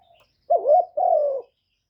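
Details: One two-note phrase from a decoy spotted dove calling to draw in wild doves, recorded without background noise: a short quavering coo, then a longer, smooth, slowly descending coo.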